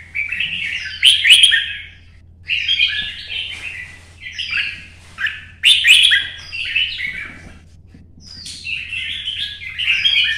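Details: Kept red-whiskered bulbul from Vietnam in early morning sunshine, in fighting-song mode to stir up other birds: about six lively, chattering warbled phrases, each roughly a second long with sharp high accents, repeated after short gaps over a steady low hum.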